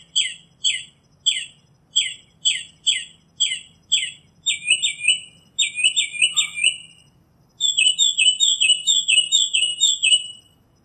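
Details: Northern mockingbird song shifting through varied phrases: a fast series of short chirps, then longer buzzy trilled notes, then rapid stuttering harsh phrases, all high-pitched and loud over faint low hum.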